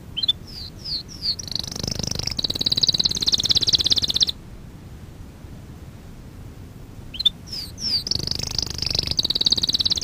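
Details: Canary song on a training lesson for young canaries, with a hissing background: quick high rising chips lead into a sustained buzzy high roll, a few seconds of near silence, then the phrase repeats.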